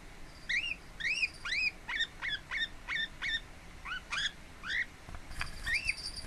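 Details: Lineolated parakeet relaxing indoors at home, 26 April 2017: a steady series of rising whistled chirps, some arched, some short and clipped, with a faint steady whine late in the recording.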